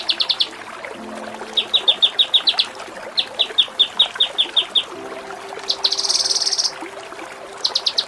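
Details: Kinoi ngepik-style tutoring song: short chirp bursts, then two runs of crisp downslurred notes repeated steadily, a loud harsh rattling buzz, and another quick chirp burst, with a low hum behind.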